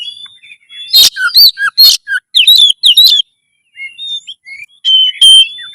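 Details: Loud Oriental magpie-robin song meant to stir breeding urge and fighting mood, with scratchy bursts and curved whistles in a dense run, then softer thin whistles after a short silence.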